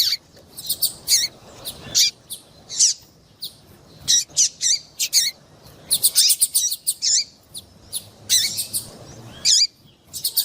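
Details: Female double-collared seedeater calling, used to excite males into singing: bursts of sharp, high chirps and short sweeping notes, often in quick runs of three to six, separated by brief pauses over about ten seconds.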